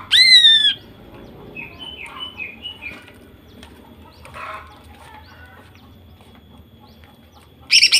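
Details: Female greater green leafbird calling, used as a lure to get males singing. A single loud downslurred whistle opens, followed by quiet faint chirps and a short harsh burst at the very end.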